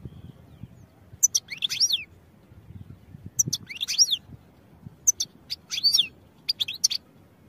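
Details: European goldfinch, recorded for training: short bursts of high, twisting twitters come about every one and a half seconds, with quiet low background noise between the phrases.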